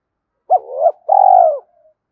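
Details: Spotted dove giving a single coo phrase: a short soft note that swells, then a longer, steady, throaty coo fading into a faint trailing tail, with no other sound.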